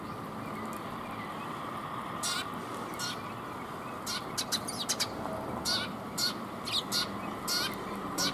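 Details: Eurasian tree sparrows coming to be fed, recorded 5 December 2021 on the way out: scattered short, high chirps in loose bunches, faint against a steady background hiss.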